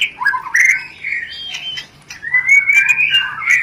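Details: White-rumped shama lure sound meant to stimulate mating; rich whistled phrases sliding up and down with quick chattering notes, a short pause, then a rising whistled run.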